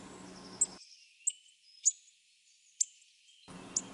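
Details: A hawfinch in the Sierra de Huelva, Andalusia, Spain, gives its characteristic "tch si si si" call: five sharp, very high ticking notes at uneven intervals over four seconds, with thin faint whistles between them over a low hiss.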